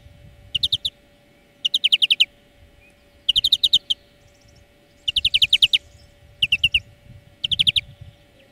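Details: European greenfinch song from a song lesson for training birds: six short bursts of rapid, evenly spaced high notes, each a quick trill under a second long, separated by brief pauses, over a faint steady hum.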